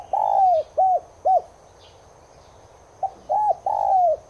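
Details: Spotted dove (Streptopelia chinensis tigrina) song used to stir caged doves into cooing: a long falling coo and two short arched hoots, a pause of over a second, then the phrase starts again with a clipped note, arched hoot and long coo.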